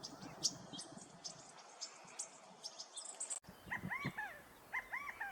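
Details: California quail in a field near home in Southern California in January give clear, arched, slurred call notes in short repeated groups behind a mourning dove, following a stretch of windy, hissing background noise on a chilly, windy afternoon.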